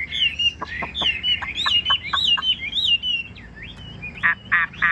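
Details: Caged Chinese hwamei singing a lively, varied string of whistled and warbled notes, with sharp clicking strokes between phrases and a few harsh, buzzy rasps near the end; faint background hum.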